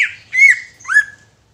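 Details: Greater green leafbird uttering two harsh, slurred squawks about half a second apart, each a hoarse note sliding down in pitch, in a quiet setting; the bird is used to make other leafbirds sing and become agitated.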